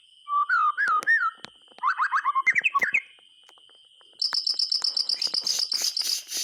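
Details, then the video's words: White-rumped shama singing, a recording used to coax silent shamas into song: warbled whistled phrases and quick chattering notes, then a pause and a rapid, evenly repeated high piping series of about four notes per second, over a faint steady tone. "SUARA BURUNG MURAY TERGACOR COCOK UNTUK PANCINGAN MASTERAN"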